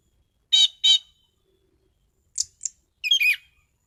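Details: Orange-headed thrush singing: two harsh, rasping chunky notes, a pause, then brief high squeaks and a short tumbling whistled flourish.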